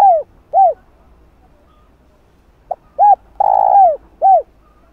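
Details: Spotted dove, used to set off wild doves calling. Two rounded coos open, then after a pause come a clipped note, an arched coo, a long purring coo falling at its end, and a last arched coo.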